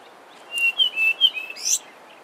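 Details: Brown scrub robin singing one short phrase of clear, slurred whistles that wobble up and down, ending in a brief higher, scratchy flourish, with a quiet background.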